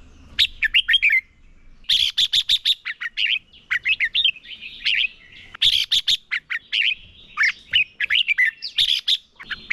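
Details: Red-whiskered bulbul as a decoy, singing in competition so others learn and sing: long run of rapid, bright whistled notes in dense bursts, with rising and falling slurred phrases and brief pauses.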